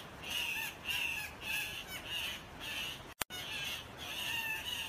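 Harsh, nasal squawks from a Guianan cock-of-the-rock, repeated roughly every half second in a crow-like series, broken once by a brief click.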